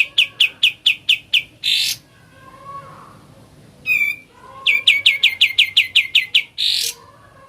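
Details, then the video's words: Sooty-headed bulbul singing in ngebren style: a fast run of sharp, bright chip notes, a harsh burst, a pause, then a longer rattling series of the same chips ending in another rasping burst. "SUARA ASLI NGEBREN"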